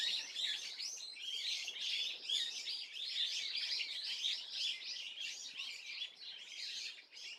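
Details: Swallow heard on 30 April 2024, keeping up an unbroken stream of quick high chirps and scratchy twitters at a steady level for the whole stretch.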